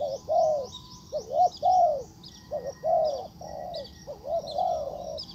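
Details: Caged decoy spotted dove calling a wild bird: mellow, arched coos in pairs and triplets, a rolling phrase roughly every second, with faint high bird twitters in the background.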